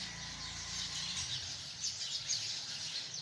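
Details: Hundreds of sparrows chirp in a tree, a dense high twitter with a few louder individual chirps standing out toward the end, over a low background hum.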